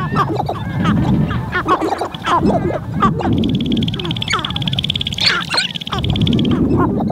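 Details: Sharp-tailed grouse on a spring lek in Montana, heard from a blind: bursts of cackling and clucking calls, short rising whines, and a steady high buzzing tone midway, with wind.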